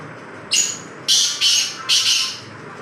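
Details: Black francolin calling with a series of four harsh, scratchy notes. A lone short burst is followed by a tight grating pair and a final rasping note.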